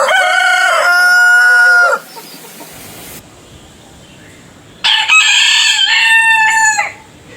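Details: Crowing rooster, one of several roosters with distinct voices: a steady, rich harmonic crow of about two seconds, then after a quiet pause a second, brighter crow wavering through its last syllables.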